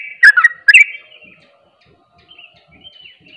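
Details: Sooty-headed bulbul in ropel style, meant to rouse other bulbuls into singing: two loud, quick bursts of sharp chirping notes near the start, then faint thin whistles fading out.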